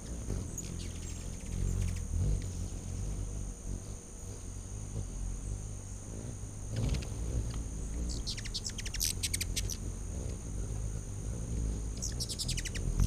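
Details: Hummingbirds feeding in a frenzy on a back deck, late August 2019; after a stretch of low humming, dense trains of rapid high-pitched chips break out in the second half.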